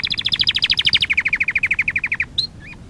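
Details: Canary sings for training purposes, delivering a quick series of crisp repeated notes that gradually drop in pitch, followed by a short whistled note and a faint twisting call.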